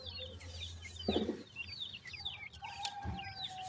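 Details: Grey francolin chicks calling for their mother: a chorus of thin, high, down-slurred peeps overlapping rapidly, with a low steady hum and a brief soft thump in the background.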